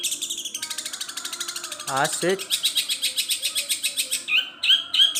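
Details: Long-tailed shrike singing a long mimicry song with imitated notes of gereja petir, kunti and tengkek buto: rapid buzzy chattering pulses repeated about three times a second, then sharp whistled notes near the end, with a brief lower sliding sound in between.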